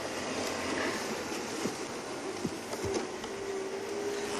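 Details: Steady broadband hiss with a few faint clicks and a thin steady tone, like vehicle or machine noise, with no animal calls.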